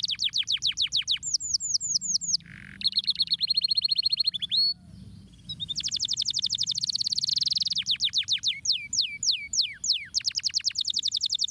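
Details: Canary stimulating song built from rapid rolling trills of high notes that change type several times, with a steady whistled passage and spaced downward-sweeping whistles, all loud and clear against a quiet low background hum.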